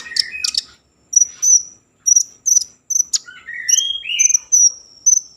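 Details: Common iora in strong song, a lure for breeding mood and singing: clean high chirps in short groups, a few rising and falling whistled slurs, and clipped repeated notes with brief gaps.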